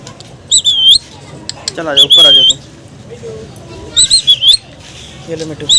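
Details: Rose-ringed parakeet calling while eating mango: shrill, high whistled squeaks in short bursts, with a harsher buzzy note in between and soft chewing-like sounds.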